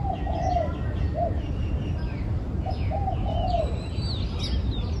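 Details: Soft, hollow dove coos in two phrases, each a few rounded notes ending in a longer drawn-out note, while thin chirps from other birds and a constant low background rumble fill the scene.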